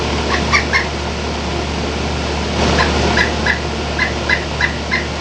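A pileated woodpecker gives a loose series of loud, clipped wuk notes, about three per second, over a steady low hum and background hiss.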